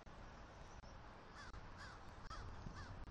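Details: Vocalizing during mating on the nest attic, a wild eagle pair in Southwest Florida on the morning of 1 October 2023, busy bringing sticks. Three or four thin, arched calls in the second half are set against steady wind roar.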